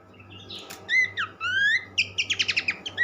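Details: Horsfield's Babbler sings sweet rising whistles, then a quick series of about seven sharp clipped notes, over a steady background hum, in a recording played to make other birds sing.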